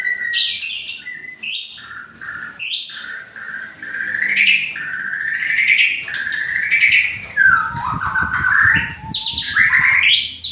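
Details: White-rumped shama (murai batu) from Indonesia singing: loud, varied phrases of clear whistles around mid to high pitch, sharp buzzy bursts and rising notes, phrases changing every second or so, with short pauses between.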